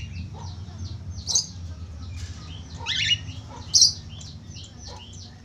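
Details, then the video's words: Budgerigar song played to stimulate other budgerigars to sing: busy, fast twittering chatter with three sharp, loud squeaks spaced a second or two apart, over a steady low hum. "Suara pancingan falk /parkit australia cepat gacor"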